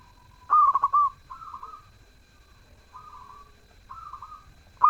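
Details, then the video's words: Melodious zebra dove song: one loud stuttering coo phrase ending in a held note, then three softer, smooth coos at intervals, with another loud phrase just beginning. "Perkutut gacor suara merdu"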